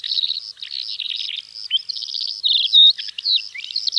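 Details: Continuous high-pitched song of a Calandra lark, recorded in Greece: dense chattering phrases, short trills and a clear sustained whistle mixed into the rapid flow.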